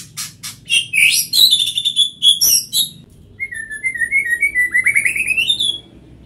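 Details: White-rumped shama delivering rapid sharp high chips and whistles, followed by a long rolling trill of rising notes that climbs in pitch toward the end.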